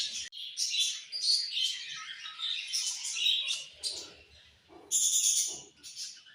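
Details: Budgerigars chirping at morning feeding, rapid high warbles and chatter in the first half, then quieter scattered notes and a sharp loud burst near the fifth second.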